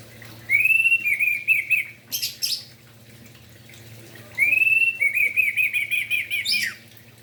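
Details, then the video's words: Morning song of an orange-headed thrush, meant to spur silent or young spotted birds into singing. Two phrases open with a long rising whistle, then break into quick, choppy warbled notes about four seconds apart, with a short harsh rasp between them. "Anis merah Gacor Pagi hari - Merangsang emosi dan Birahi Anis Merah"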